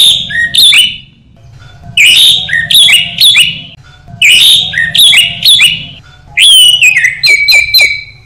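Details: Orange-headed thrush, a caged songbird recorded for training, giving rapid phrases of whistles and chirps that repeat in a similar pattern, ending in a series of clear descending whistles, over a low background hum.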